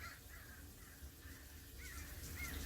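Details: Birds a viewer suspects are jackdaws give short, faint, squeaky 'chak' calls, several in quick succession, over a steady low indoor rumble.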